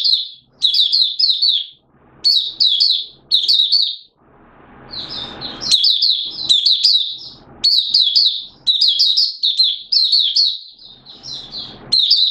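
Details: Malaysian mata puteh, an oriental white-eye, in song in Singapore during warm humid weather with sudden showers, 29 March 2023; repeated clusters of bright, high, falling chirps, with one short hissy patch midway.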